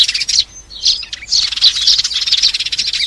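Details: Sparrows calling the flock, a recording used for trapping: dense, rapid chirps and buzzy chatter overlapping almost without pause, high and bright, with several birds seemingly calling together.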